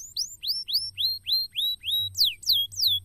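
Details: In a cassava garden, a canary sings a neat series of rising whistled slurs, about three per second, then switches to three loud steeply descending sweeps.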